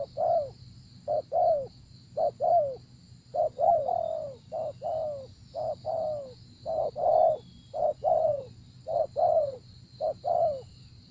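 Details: Spotted dove cooing during decoy luring ('gác cu gáy') of a wary wild bird. A long, steady series of mellow low coos in short-long pairs, the second note dropping in pitch, repeated about once a second over a faint constant hum.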